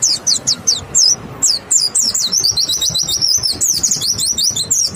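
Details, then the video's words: Clear, high song of a white-eye used to coax other white-eyes into song: a few separate sharp down-slurred chips, then a quick rolling warble of twittering notes that runs to the end. "Pancingan PLECI BIKIN IKUT NEMBAK, suara jernih bikin respon PLECI LAIN BUKA PARUH"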